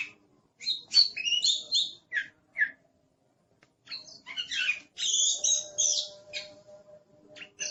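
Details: Oriental magpie-robin in aggressive, noisy song: clusters of sharp high chirps and harsh squawky notes, a silent gap of about a second, then a loud scratchy burst with a faint steady tone underneath.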